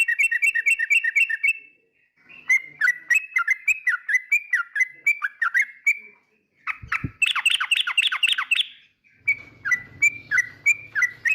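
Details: Yellow-vented bulbul song used to provoke rival birds: runs of quick, bubbly chirped notes, each dipping and rising, repeated several times a second in bursts separated by short pauses, with one brief low thump midway.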